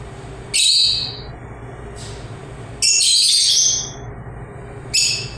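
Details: Shrill lovebird chirps in three separate bursts, the middle one longest and most intense, with high screechy notes and a steady low hum between them.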